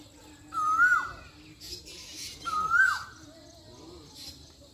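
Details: Singing Asian koel in Pakistan gives two loud whistled notes, each rising then falling away, about two seconds apart, over soft background noise and a faint low hum.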